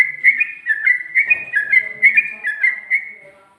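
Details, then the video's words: Sooty-headed bulbul in ropel-style song with ngikluk and garuda touches: a continuous, whistled trill wavering within a narrow band, pulsing about twice a second and trailing off at the end. "Burung Trucuk Ropel,ngikluk...ada ngGARUDAnya juga"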